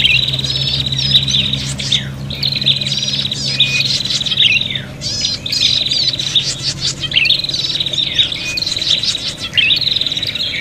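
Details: Agitated prinias in a fighting bout, used as a bird lure: dense buzzy chattering trills bursting out in repeated two-second runs, several voices overlapping, with a steady low hum beneath.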